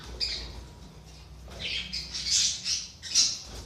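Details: Budgerigar calls used to rouse lazy, inactive budgies: a run of harsh, high squawking chirps building into louder overlapping bursts, with a faint low hum behind.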